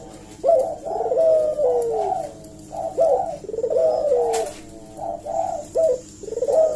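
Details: Eurasian collared dove cooing hard as a lure to make other doves answer, phrase after phrase of short hooted notes and long descending coos with hardly a pause between them.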